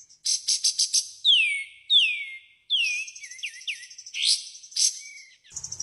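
A lively run of high, buzzy chattering notes gives way to sharp, downslurred whistles and quick twittering phrases. No other sounds intrude.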